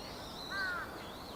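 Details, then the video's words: A Dusky thrush (ツグミ), a winter visitor, filmed from behind on 23 November 2015, gives a single short, harsh, slightly arched call over steady background hiss. "ツグミ Dusky thrush の鳴き声"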